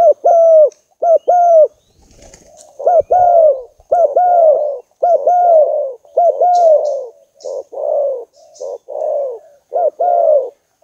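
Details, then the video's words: Spotted dove lure call used to attract tekukur doves: loud, hollow cooing notes of about half a second each, with a slight rise and fall, given in pairs and short runs roughly every second, over a quiet background. "SUARA MEMIKAT BURUNG TEKUKUR\BERKUKUR"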